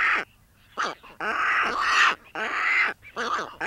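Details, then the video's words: American white pelican in the wild giving harsh, raspy squawks in bursts of about half a second, repeated several times with short gaps. "American white pelican sound effects | Real pelican sounds"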